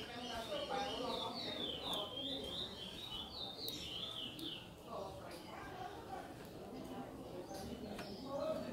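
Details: Chestnut-bellied seed finch singing in the praia mineirinho style: quick runs of high whistled notes sliding up and down, densest over the first five seconds, then fainter. Steady background noise and possible voices underneath.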